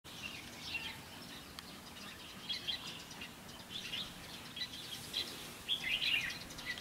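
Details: Red-whiskered bulbul recorded during a three-day trapping session on 16 October 2016, a decoy bird singing; bright chirpy phrases scattered between two and six thousand, with a denser warbled burst near the end over steady outdoor hiss.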